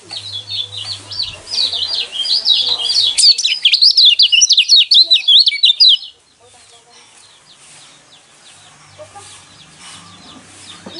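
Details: Lemon-bellied white-eye song used to stir up caged birds into singing: six seconds of loud, rapid, high twittering of sharp chirps and trills that ends abruptly, followed by quieter background twitters and a low hum.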